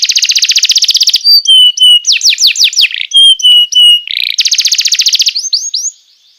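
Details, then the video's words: Canary song used to lure and to tutor young canaries: a fast buzzy trill, then pure whistled notes and rapid downslurred sweeps, a short burred note, and another dense trill ending in rising chirps. "PANCINGAN JITU BURUNG KENARI#014,masteran burung kenari paud"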